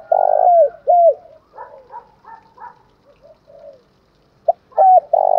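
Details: Spotted dove coo used to lure and excite rival males: strong low hoots at the start and end, with a stretch of softer, stuttering coo notes between them.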